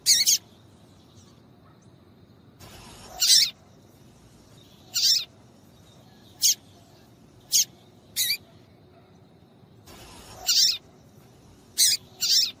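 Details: Female double-collared seedeater call sequence used to set males singing; a loose series of short high chirps and ticks, some paired, spread irregularly with quiet gaps.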